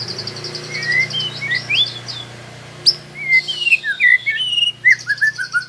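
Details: White-rumped shama, a young bird learning to sing rolling trills, giving scattered whistled and slurred notes, some rising, with short gaps between phrases; a faint low hum underneath.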